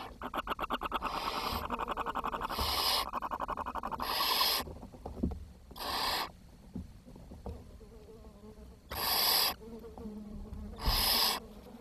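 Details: Barn owl chicks in a nest where food ran short and the youngest died; harsh broadband hissing screeches in bursts about every two seconds, with a rapid ticking, stuttering series at the start.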